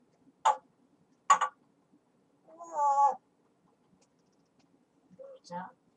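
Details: Pet grey parrot chattering indoors: two clipped bursts, then a drawn-out wavering tonal note, then a few soft broken syllables.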